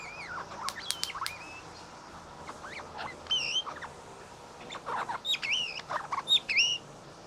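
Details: A male Australian king parrot, visiting and showing off while "dancing", chatters in sharp clicks, quick chips and short whistled notes, some bending up and down, in busy bursts over a quiet background, possibly hoping for food.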